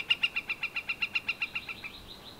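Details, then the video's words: Rapid, regular string of sharp repeated notes from a Northern flicker, strong at first, then fading and trailing off into a thin, higher, drawn-out sound. "Northern Flicker call and wood-pecking"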